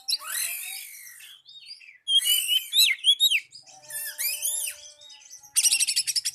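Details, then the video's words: Oriental magpie-robin song to call a rival: harsh burst, thin whistles, then looping rising chirps and slurred whistles, ending with a quick rattled series. "Pancingan Burung Kacer Memanggil Lawan"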